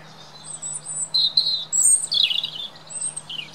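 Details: Robin redbreast singing in Britain: a run of high, sweet whistled notes and fast twittering trills, varied in pitch and broken into quick phrases, with a faint steady low hum underneath.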